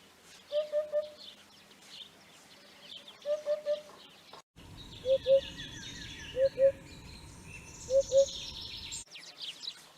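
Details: Eurasian hoopoe giving low, hollow hooting notes: two quick triple 'oop-oop-oop' bursts, then soft paired hoots every second or so over a rumbling low background, with thin chirps of other birds higher up.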